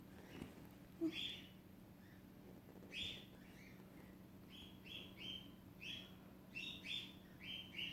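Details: Lutino cockatiel chick hatching, helped out of an egg the parents had abandoned after sounds came from it, giving soft, high, raspy peeps in short repeated bursts over a low hum.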